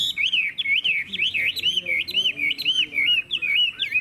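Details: Singing caged hwamei from Vietnam, hót hét style: a steady chain of looping whistled notes, about two per second, each swooping down then up, clear and strong.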